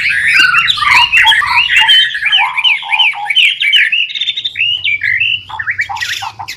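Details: White-rumped shama singing actively, offered as master song material for tutoring caged birds: dense, fast run of varied whistled and chattering phrases, rising and falling notes packed closely, with a low hum beneath.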